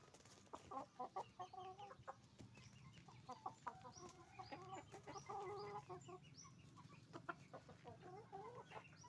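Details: Hens and roosters on a chicken farm making noise: loud bursts of rapid, nasal, harmonic clucking in overlapping phrases, with scattered high chirps and a constant low hum.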